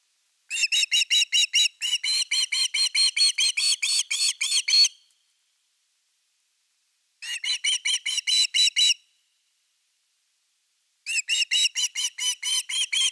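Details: Osprey calling at nest #3 during an evening fish delivery, 30 August 2021, nest camera; three long bouts of rapid, sharp, whistled yelps, the first lasting over four seconds, separated by silent gaps of a few seconds.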